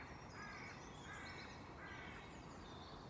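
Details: Bird in a Belgian park in spring giving three harsh, hoarse calls spaced about 0.7 seconds apart, with faint high chirps from other birds above a constant background rumble.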